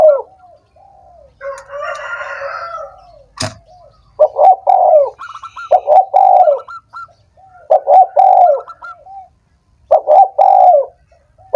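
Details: Spotted dove coos for stimulating doves that are reluctant to sing: soft opening notes and a burst of chatter, a sharp knock, then four rhythmic phrases of stuttered coos ending in long falling notes, quieter cooing behind.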